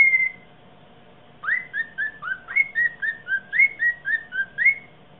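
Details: A bird sings after mating: one lone whistle, a pause, then a steady run of about twelve short whistled notes dipping and rising in a lilting pattern, with a faint hum underneath.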